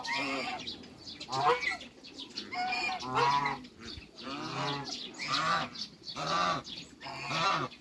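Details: Repeated honking from African geese kept on a waterbird farm as they meet other waterbirds: strong, buzzy, harmonic honks arriving about once a second, some doubled, steady throughout.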